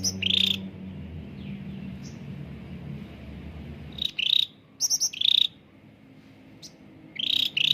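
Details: Cucak ranting (bulbul) used to lure caged birds into singing: one buzzy trill, a long lull with low background hum, then a cluster of clicking high notes and trills, ending with another trill.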